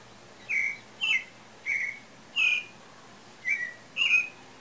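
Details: Pale-breasted thrush in song, possibly nearing its breeding season, delivering six varied whistled phrases in steady succession, some with quick downward slurs, spaced roughly half a second to a second apart against a quiet background.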